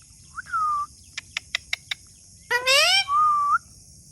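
A parrot gives a level whistled note, five quick sharp clicks, then a rising, rough, voice-like squawk and a final whistle with an upturned end.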